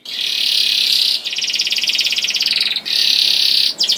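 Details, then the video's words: Young canary song meant to get other canaries singing: sustained buzzy rolling trills in long stretches, each broken by a brief gap. "KENARI GACOR DOR NGEDUR NGOTOT CUIT CUIT NGEROL AMPUH PANCINGAN KENARI PAUD"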